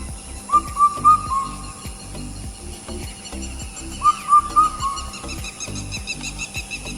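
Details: Common Hawk-Cuckoo (brain-fever bird) in a tea garden in Assam, India, giving two loud phrases of three shrill, rising whistled notes about three seconds apart, over soft background music.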